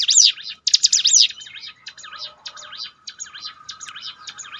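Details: Bar-winged prinia song for training a downcast bird back into form: a loud opening burst of looping high notes, then a softer, thinner run of similar repeated notes.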